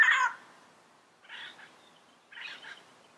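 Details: In its natural wild surroundings, a yellow-headed parrot gives one loud harsh squawk followed by two fainter, rougher calls about a second apart.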